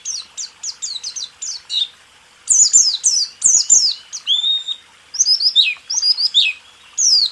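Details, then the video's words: White-eye song recorded as a training tape for caged birds: evenly spaced high sweeping notes, then louder overlapping descending whistles and chatter in bursts, with brief pauses. "Masteran burung pleci..rool tembak"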